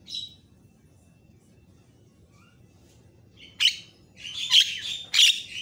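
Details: Javan myna in a varied training recording meant to make other mynas agitated: a brief rasp, near silence with faint whistles, then a loud scratchy outburst of buzzy notes.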